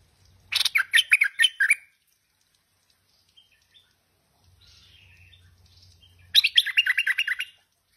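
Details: Tame stripe-throated bulbul, a lively singer, gives two bursts of rapid, bubbly, chattering notes about five seconds apart, with soft twittering and a low hum between.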